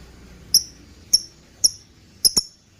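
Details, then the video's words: Lovebird call used as a lure and training recording for other birds, described as ngekekekeke: five sharp, shrill, very high chirps, spaced about half a second apart, the last two close together, over faint low hum. "Pancingan burung love bird # masteran burung, ngekekekeke"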